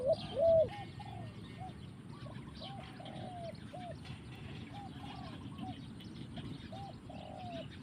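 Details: Spotted dove in the forest: one loud close coo at the start, then a series of softer, more distant low coos repeated steadily, amid a busy background of chirping birds.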